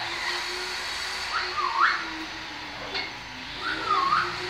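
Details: A captive trained talking blue-fronted amazon, which also dances and steps onto the hand, gives two short whistled phrases, each rising then dipping, about two seconds apart, over a steady mechanical hum.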